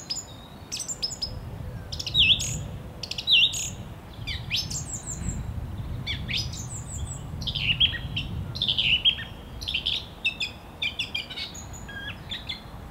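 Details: Song thrush singing: a varied run of loud, sharp whistled phrases and clipped, twittering notes, some short figures repeated, delivered in bursts with brief pauses over a low background rumble.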